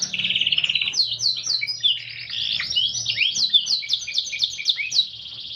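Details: Canary singing energetically in a unique cengkok song style: dense, continuous, high-pitched warbling of rapid trilled phrases and quick downslurred notes, unbroken for over five seconds, with a faint low hum beneath.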